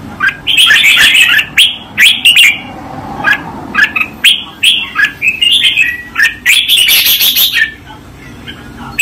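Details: Red-whiskered bulbul delivering a master training song: fast strings of cheerful whistled and warbled notes, repeated in close bursts through the recording, ending in a loud dense flourish.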